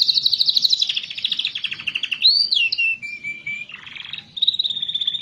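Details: Canary singing as a lure to get lazy canaries to sing: a loud rapid rattling trill slowly descending, then a rising swoop, short steady whistles, a lower buzzy passage, and a final bright rolling trill; faint low hum beneath.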